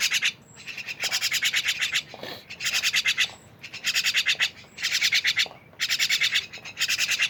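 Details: Group of jalak, the myna, in noisy company: rasping, rhythmic pulse trains in bursts of about a second, separated by brief pauses, with occasional thin whistles.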